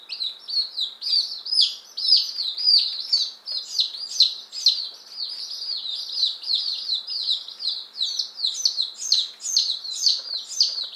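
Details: Flock of fifteen one-day-old chicks, Appenzeller Spitzhauben and White Crested Blue Polish, newly arrived on May 19, 2015; steady stream of shrill falling peeps, two or more each second, from many birds at once.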